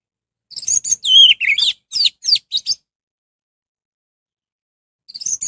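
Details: Lure song of an orange-headed thrush, meant to provoke rival thrushes into singing along. A rapid run of varied notes includes a longer slurred whistle sliding downward, then silence and a fresh phrase starting at the close.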